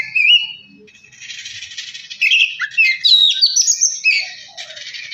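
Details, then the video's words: Oriental magpie-robin singing to spur another bird on: opening whistle, a stretch of hissy noise, then quick twisting whistled and chattered phrases, bright and high. "Kacer males bunyi jadi gacor 🔥 pancingan Kacer biar cepat gacor dan emosi"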